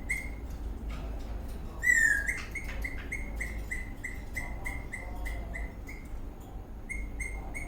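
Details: Eastern rosella parrot, dancing in a happy mood, gives a loud downslurred whistle followed by a long steady series of short chirps, with light tapping sounds.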